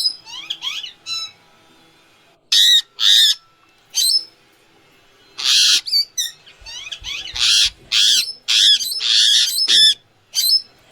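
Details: Indian ringneck parrot heard without music or filters: short chattering notes, paired harsh screeches, then a dense run of loud rasping squawks and twittering calls over the last half.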